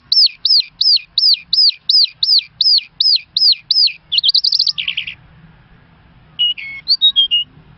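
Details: An Irani Mashadi Jal singing lark sings a quick run of about a dozen clear, arched whistles, then a buzzy trill and, after a short pause, a few varied higher notes.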